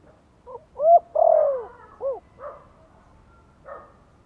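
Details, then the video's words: Spotted dove, Vietnam, soft lure call in the Giọng Thổ style for rousing newly kept birds: a quiet lead-in note, a bright short coo, a long descending coo, a short coo, then faint trailing notes. "Tiếng chim cu gáy Giọng Thổ kích mồi nhẹ nhàng"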